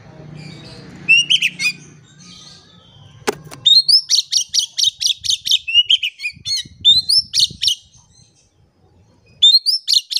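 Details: Oriental magpie-robin singing as a lure for quiet birds: rising whistles and long runs of rapid, sharp repeated notes, with a short pause, over faint low background noise.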